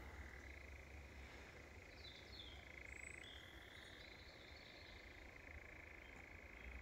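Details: European nightjars churring on Wiggonholt Common, at least two birds, one distant and possibly on the ground: a faint, continuous mechanical churr held steadily throughout, with brief higher whistled sweeps and low wind rumble.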